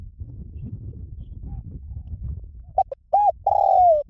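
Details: Spotted dove, lure recording in the liu tan style to make trained doves coo back: steady low background rumble, then quick short notes, an arched hoot and a long coo falling in pitch at the end.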